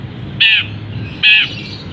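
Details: Caged long-tailed shrike, cover just opened, singing a mimicry-filled song with canary, sparrow and kapas tembak phrases; here two harsh, rasping, buzzy squawks about a second apart over a steady low hum.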